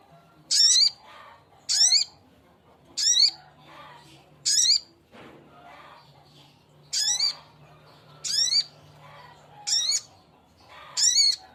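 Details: Male sogok ontong calling to a female: short harsh, buzzy screeches with a rising ringing tone, repeated about every 1.3 seconds, with a pause mid-sequence and a faint low hum behind.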